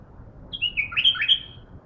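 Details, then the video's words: Bulbul, a caged bird still being trained, responding to a wild bulbul with a quick phrase of clear whistled notes sliding up and down, loud and close. "بلابل علاوي من قلب الحدث شوف البلبل البري"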